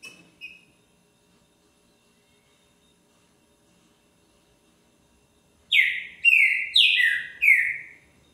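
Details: Green-winged Saltator song on 20 February, 1:10 in the afternoon: four loud, rich whistled phrases, each sliding downward, delivered in a quick burst after two short soft notes and a long pause.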